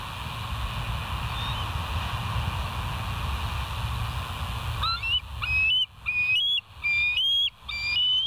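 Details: Bald eagle on a West End live nest cam, 09/12/2023: after quiet hum, a rapid series of sharp, high, slurred chirps with ringing overtones, roughly one every second, in a staccato chatter.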